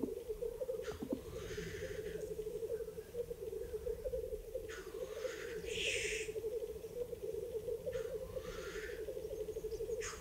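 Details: Black grouse lekking in late April 2020 in spruce-belt mountain forest of the Ketmen range, Kazakhstan, keep up a steady, low bubbling coo, broken every few seconds by harsh, hissing sneezes.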